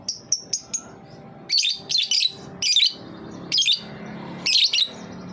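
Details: Lovebird giving its ngetik song, used as a lure to get young lovebirds singing: four quick high chips, then five dense bursts of rapid scratchy ticking, each about a third of a second long and spaced about a second apart.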